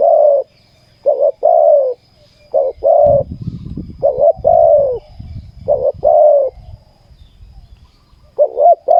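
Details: Spotted dove cooing during ground decoy trapping in Thailand, a caged decoy drawing in a wild bird. Low, hoarse coos in short clusters of two or three notes, with pauses between phrases and a low rumbling noise midway.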